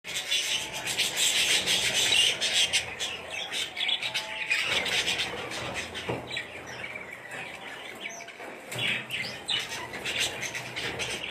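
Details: Breeding budgerigars, chicks and adults together, fill the air with dense, high chirping and scratchy chatter.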